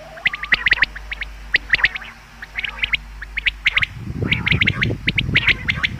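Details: Common quail sound meant for hunting: bursts of sharp, quickly repeated notes in small groups, continuing throughout, with low rumbling noise in the last two seconds.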